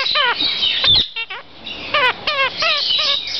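A New Zealand parakeet gives rapid, chattering calls: bursts of harsh, ringing notes repeated several times a second, with a brief pause midway.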